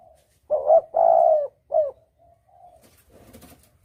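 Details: Clear spotted dove lure call in double-coo style, used for hunting: a stuttered two-part note, a long full coo and a short closing coo, then faint trailing notes and a brief rustle.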